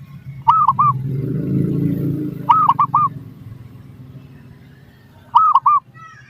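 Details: Zebra dove song used as a lure to make other doves respond: three short bursts of rolling, bubbly coos, each of three quick notes, spaced about two to three seconds apart over a steady low rumble.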